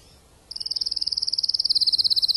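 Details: Spanish timbrado canary, a breeder used as a tutor bird, gradually unfolding its repertoire after moulting: half a second of quiet, then a very fast, steady, high-pitched metallic trill of rapid even pulses.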